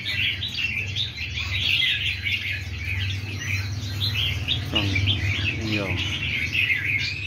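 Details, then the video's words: Numerous wild-caught red-whiskered bulbuls kept caged keep up continuous bright chirping and warbling. A man speaks briefly in the middle, and a strong low hum is heard throughout. "chim chào mào bổi víp"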